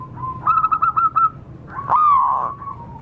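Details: Zebra dove from the wild, used to lure wild birds: a fast run of short, bright notes, followed by one longer, loud, gently falling coo.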